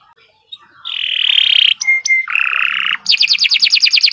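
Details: Domestic canary singing a long, continuous gacor-style song. After a quiet start come buzzy sustained notes, then two short pure whistles on one pitch. Another harsh buzzy stretch follows before a rapid, rhythmic trill of bright chirps.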